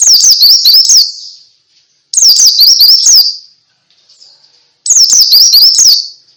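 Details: White-eye in ngalas song, meant to set other white-eyes singing; three separate bursts of very high, quick, sharp chirping, each about a second long, separated by near-silent gaps.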